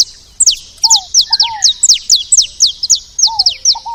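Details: At a seed feeder, saffron finches chatter in quick, bright, steeply falling high notes, about two per second, while a softer low double whistle sounds twice.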